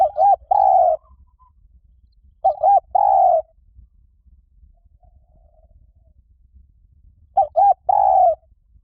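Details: Spotted dove call used as a decoy to draw wild doves in. Three cooing phrases, each two quick short notes followed by one longer steady coo, repeated roughly every three and a half seconds with quiet gaps between.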